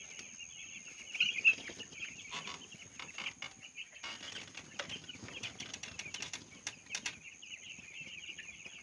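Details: Flock of little broiler chicks in a rearing house: constant shrill overlapping peeping, a few louder cheeps early on, with bursts of rustling, wing flutters and clattering noises through the middle.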